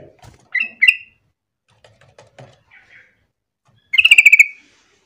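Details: Sooty-headed bulbul singing to prompt other bulbuls to join in: two short bright chirped notes, soft scattered clicks, then a fast rippling burst of about eight notes near the end.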